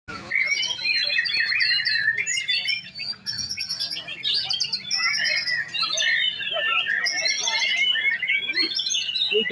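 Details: Male white-rumped shama kept at a breeding farm. It pours out a loud, rich song of varied whistles, trills and chattering phrases, high and tumbling, with a short pause around three seconds before resuming.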